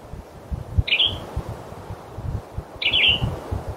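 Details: A male western tanager calls in forest late in the season, giving two brief, rough, slightly descending chirps roughly two seconds apart against soft low background rustle.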